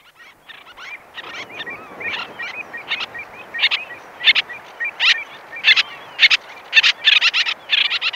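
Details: Common terns giving harsh, grating conversational calls in uneven bursts of one to two a second, growing louder and busier, with oystercatcher and lapwing calling faintly in the distance.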